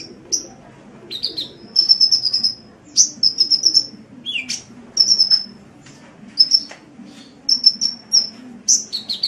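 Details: Energetic gacor singing of a kolibri (sunbird), recorded as a master for songbird training: scattered thin high chips and short rapid trills separated by brief silences, with one lower slurred note midway.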